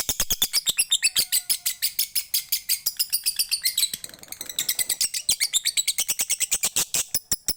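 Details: Bali lovebird in long ngekek chatter, used by bird-song hobbyists as a prompt for their own lovebirds. Shrill high notes pour out in a fast, unbroken rattle for the whole stretch, briefly softening in the middle.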